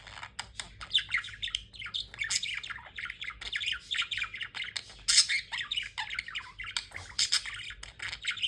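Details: A black-faced budgerigar warbles continuously, mixing chirps, squawks and rapid chattering notes.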